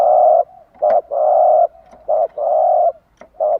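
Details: Cooing spotted dove, morning phrase meant to encourage caged doves to sing: alternating short and long low, hoarse coos in a steady rhythm, with a few faint clicks between notes.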